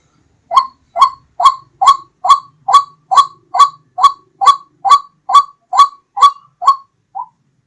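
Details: White-breasted waterhen hunting lure call: about fourteen evenly spaced, strident, nasal notes at just over two per second, ending with one softer, clipped note.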